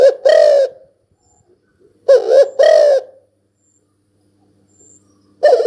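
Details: Spotted dove heard in two clear double coos about two seconds apart, a short note then a fuller drawn-out one, with a third starting at the end; otherwise quiet.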